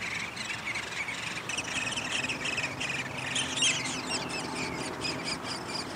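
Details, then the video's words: Downy woodpeckers at their nest during feeding, 20 May 2021: a steady run of short buzzy chattering bursts, repeated several times a second with a few higher squeaky notes, over a constant background hiss. "Downy Woodpecker nest & feeding"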